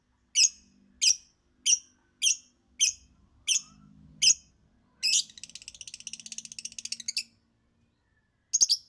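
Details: Lovebird song: seven sharp, high chirps repeated about every 0.6 seconds, then a fast rattling chatter of rapid scratchy notes lasting about two seconds, ending with a final pair of chirps.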